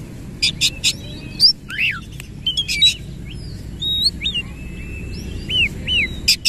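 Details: Singing Oriental magpie-robin, tail fully open, delivering rapid rolling phrases: sparse bright whistles and curling slurred notes between short harsh chips, against a soft low drone.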